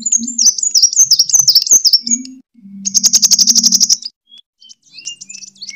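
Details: A sunbird's fighting song, kolibri tarung, played as a lure for bird training: a run of high wavy warbled notes, then a fast even stutter of sharp chips, about fifteen, then scattered thin whistles.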